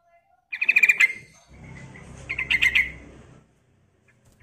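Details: Yellow-vented bulbul female calling for a male, a lure sound: two rapid chattering bursts of high repeated notes about two seconds apart, with a soft background hiss between them.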